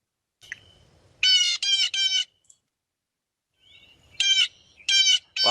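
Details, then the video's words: A Blue Jay, a noisy winter bird at feeders in Michigan, gives loud, harsh, raspy jeer notes in two quick bursts of three, with faint thin chirps between them. "If you have these at your feeders, you've probably heard this. They're a rather noisy bunch, that is the Blue jay."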